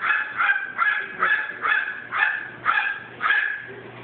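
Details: Pet crow imitating a chihuahua's bark: a steady run of about eight rough, hoarse, yapping barks, one roughly every half second, with a faint low hum beneath.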